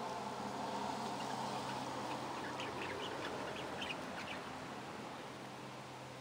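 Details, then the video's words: Budgerigars chattering in a soft, busy warble of short squeaky chirps and clicks. The chatter is densest in the middle stretch and runs over a steady electrical hum. "15 minuten Grasparkieten plezier - 15 minutes of Budgie fun"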